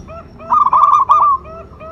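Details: Local perkutut (zebra dove) luring call: a single rolling, tremulous coo phrase lasting under a second, while soft background coos from other doves sound before and after.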